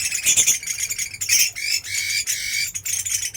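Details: Chinese hwamei giving a dense, harsh burst of high chattering notes with rasping bands, broken by short pauses and overlapping phrases throughout.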